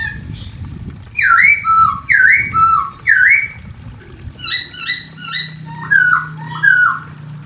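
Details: Chinese hwamei female calling to the male, giving three loud V-shaped swooping whistles each followed by a lower slurred note, then a quicker series of bright, clipped whistled phrases repeated about once a second.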